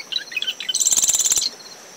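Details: Close marsh wren song at a dune-shrub nest site in early morning: a handful of fast warbled notes breaking into a loud, evenly pulsed buzzing rattle, with wind and a high cricket tone behind.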